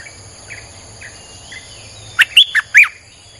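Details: After soft, faint whistles, a Streak-eared bulbul gives four loud, clipped, slurred chirps in quick succession near the end, a phrase played as a lure for wild birds, with high insect buzzing throughout.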